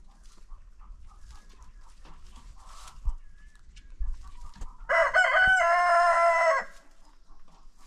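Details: Rooster on a chicken farm crowing in an informal daily contest after breakfast: one loud, harmonic-rich crow lasting under two seconds, with a slightly wavering held note, preceded by soft background clucking and scattered farmyard noises.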